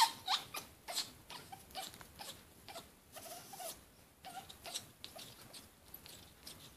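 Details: A pet Congo African grey in heat gives softer, irregular ticking clicks, about three per second, with occasional faint tonal squeaks, indoors.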